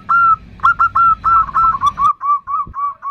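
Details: Female zebra dove calling the male with the nutut sound: drawn-out cooing notes that become shorter and quicker, in a stuttering series over a low hum that stops midway.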